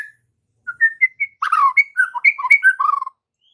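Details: Lure song of a white-rumped shama, used in the afternoon to coax trotol and pastol juveniles into answering; a few rising whistled notes lead into a dense, warbling run of slurred and fluty phrases lasting about two seconds.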